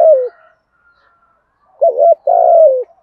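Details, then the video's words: Spotted dove used as a trapping lure, cooing in the 'giọng thổ' voice to provoke rivals to fight: the tail of a falling coo, a pause, then a short double coo and a long, slightly descending mellow coo; background silent. "cu gáy thúc gù giọng thổ/ thúc đấu bổi nghe nhanh về cội+mồi nghe gáy theo"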